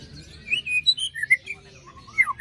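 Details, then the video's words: White-rumped shama lure song for birds that stopped singing after moult: varied whistled notes in quick succession, mostly steady or gently sliding, ending with falling slurred whistles. "Pancingan murai batu macet bunyi paska mabung terbaru besetannya bikin ngilu!!"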